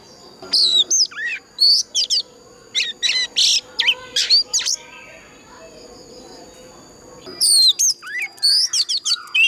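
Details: Oriental magpie-robin in 'già rừng' wild-style fighting song for training and stirring other birds; clear whistled slurs and grating notes in groups, a quieter stretch midway, then a renewed burst.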